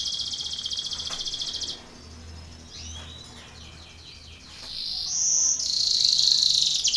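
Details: Canary song used for contest training, a Belgian canary singing: a fast high buzzy trill, then varied quick sweeping notes and a bright whistled burst, ending in a rapid high rattling roll.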